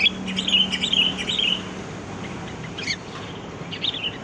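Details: Sooty-headed bulbul song used as a lure for trapping birds: a run of chattery whistled notes for a second and a half, then quieter scattered chirps, with a low steady hum underneath.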